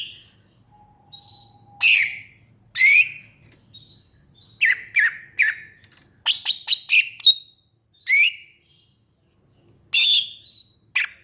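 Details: Greater green leafbird singing: loud sharp chirps and rising slurred notes between 2 and 8k, given in bursts every second or so, with a faint thin whistle and quiet gaps between phrases.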